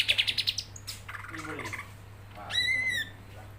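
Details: Greater green leafbird singing vigorously: a burst of rapid, even chirps, then slurred mid-pitched notes and a long, bright whistle with rich overtones, over a low electrical hum.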